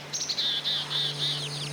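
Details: Migrating Black-capped Chickadees on a cliff over the ocean with few trees, Martha's Vineyard coast, Massachusetts, give a quick high opening note, then a run of five or six buzzy, hoarse dee notes, over a steady low hum.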